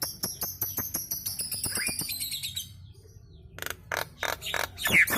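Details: Nias hill myna in a busy chattering burst, its song set off so that other birds call along: a rapid run of sharp clicks and ticks, then a pause, then harsh broadband notes and a short whistled note.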